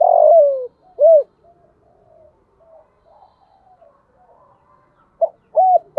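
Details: Spotted dove calling in "giọng thổ" style: a long falling coo and a short arched coo, a quiet gap with faint distant murmurs, then another phrase begins with clipped notes.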